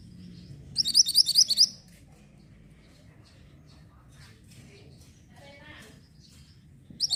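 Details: Mantenan orange bird singing as tutor audio for white-rumped shamas: a rapid volley of shrill chirps, a long quiet stretch with faint scratchy sounds, then the chirping resumes briefly.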